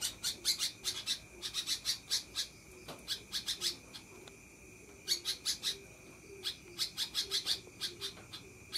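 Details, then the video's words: Long chattering song of a sooty-headed bulbul, with fast strings of sharp high notes in repeated bursts and brief gaps, plus faint lower chirps beneath and a constant thin tone throughout. "Kutilang konslet ngekek"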